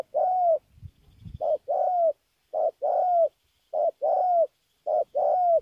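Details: Spotted dove from Kon Tum cooing in clear repeated phrases: a short hoot followed by a longer, even coo ending in a slight fall, each pair about a second apart, with a brief low rustle early on.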